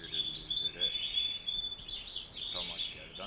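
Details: European goldfinches, a male and a female paired together, giving rapid high twittering with slurred, fluttering notes, briefly overlaid by a faint human voice.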